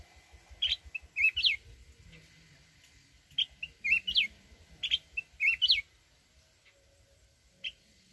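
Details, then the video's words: Red-whiskered bulbul from the mountains, used as a fighting decoy, delivering two lively whistled phrases of looping, rising and falling notes in forest-voice style, then a lone chirp, with soft low thumps behind. "chào mào núi@ hót giọng rừng kích bổi"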